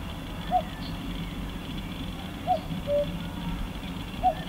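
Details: At Croft Castle, Herefordshire, a distant male common cuckoo gives soft, hollow two-note 'cu-coo' calls, the second note lower, a few seconds apart, over a steady low rumble of wind or traffic.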